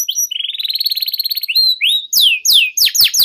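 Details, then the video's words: Long-singing canary, recorded as tutor and trigger song for young birds: a fast pulsed trill, a brief rising slur, then a run of sharp loud descending whistles in quick succession. "PANCINGAN Suara Burung KENARI Gacor Panjang || Masteran KENARI Paud"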